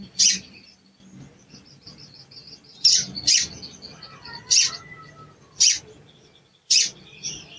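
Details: Sooty-headed bulbul 'cuit cuit' call used to stir a silent bird into singing: loud, high, piercing chirps at irregular intervals of one to two seconds, with softer twittering notes between them.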